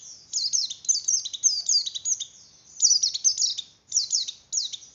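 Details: White-eye arousal song ('pleci oper birahi', 'ngeleper' style) for raising breeding drive in other white-eyes: bursts of shrill, downward-slurred chirps in quick clusters, separated by short gaps, with a quiet background.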